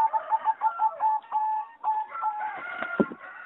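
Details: Singing zebra dove bred for competition, recorded in a flight aviary on 26 April 2014: a run of quick, even cooing notes at one pitch, then longer drawn-out coos, with higher bird calls mixed in near the end.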